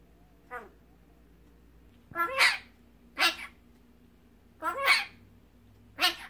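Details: Tame magpie raised indoors after rescue as a chick, copying its owners' words: four or five harsh, breathy, broadband bursts about a second apart, each with a brief tonal onset, over quiet room background.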